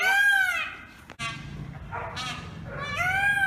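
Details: Peacock at a home giving loud, nasal, wailing calls rich in harmonics, one at the start and another near the end, with a faint muffled call and a sharp click between them.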